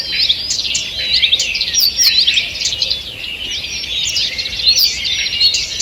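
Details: Morning forest birdsong, 2 June 2023, with many birds singing at once; rapid high chirps, short trills and rising whistled notes blend into an unbroken chorus.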